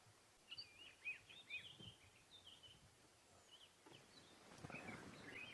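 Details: A dark-capped bulbul in the bush on a July 26, 2016 morning safari drive gives a run of quick, bright chirping whistles in the first two seconds, with softer calls after and a rustling, noisy background.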